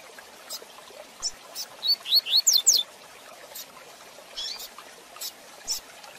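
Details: Tui tui zel zel de fibra style song of a rusty-collared seedeater, fast training recording for young birds: one burst of quick rising whistled notes followed by scattered high chips.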